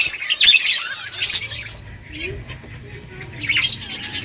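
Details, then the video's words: Several finches feeding, giving bursts of high, sharp chirps and squeaky twitters at the start and end, with a quieter stretch in between and a faint low hum underneath. "Beautiful finches eating food birds chirping sounds"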